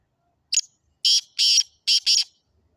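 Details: Harsh, scratchy call of a Sindhi black francolin (kala teetar): a brief opening chip followed by four loud grating notes grouped in two pairs, clean and free of background sound.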